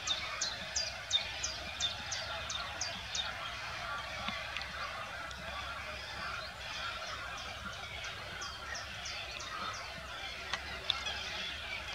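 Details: Common redshank (Tringa totanus) at Ammersee giving a quick series of thin, high piping notes, about one or two per second, over a busy background of other birds and distant honking.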